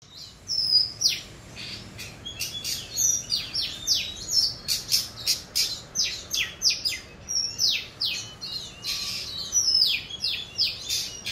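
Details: Young Oriental magpie-robin practising its song: a long run of short, high chirps and thin whistled notes, many sliding downward, given in quick irregular bursts with brief pauses, over a faint low background hiss.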